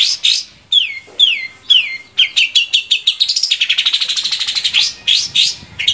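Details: Long-tailed shrike singing, played to stimulate captive shrikes to sing: loud, sharply descending chirps repeated about twice a second, speeding into a rapid, even rattle of short notes, then slower chirps again.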